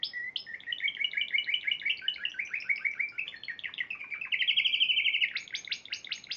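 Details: Spanish Timbrado canary, a March 2014 Piala Raja winner, delivers continuous song: dense rolling trills, a rising, ringing buzzy phrase, then sharp repeated high notes at a steady fast pace.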